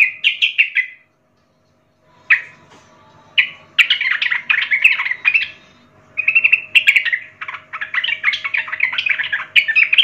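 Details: Young wild-caught sooty-headed bulbul singing energetically: bursts of rich, bubbling, warbled phrases with short pauses, including a silent gap early on, then a long run of chattering notes.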